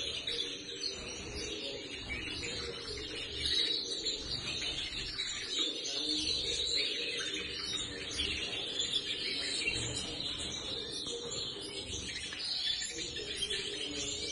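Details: Several young captive-bred phaeo Eurasian siskins from 2019 fill the air with a dense, overlapping twitter of thin, high chirps and buzzy notes, with a faint low background hum.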